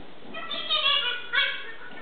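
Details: Grey parrot kept as a pet chattering on 15 August 2014, two loud, tonal, voice-like phrases, the first drawn out and wavering, the second shorter and rising, over a faint room hum.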